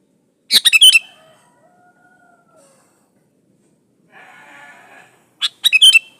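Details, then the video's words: Sooty-headed bulbul, pure song without added birds, played to lure other bulbuls into song: two bright chattering phrases of four or five notes, separated by a gap with a brief buzzy, layered background sound. "Suara burung kutilang gacor Asli tanpa isian Ampuh buat pancingan kutilang gacor"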